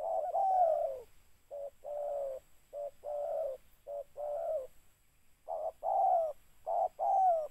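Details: During mikat trapping, a spotted dove repeats its throaty coo phrase: clipped short notes followed by longer, slightly descending coos, in a steady series with a brief pause midway.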